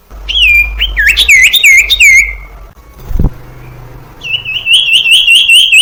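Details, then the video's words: Common iora song used as a lure to train young birds: looping, wavering whistles, a short pause with a dull thump, then a rapid trill of repeated whistled notes. "Suara Burung Sirtu Cipoh PANCINGAN sirtu cipoh TERAMPUH keAhlinnya menjadikan burung sirtu gacor."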